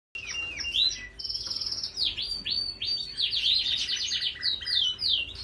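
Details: Yorkshire canary singing: a rapid run of high whistled notes and fast trills, downslurred sweeps and buzzy rolled phrases following one another almost without pause, with a steady faint low hum underneath.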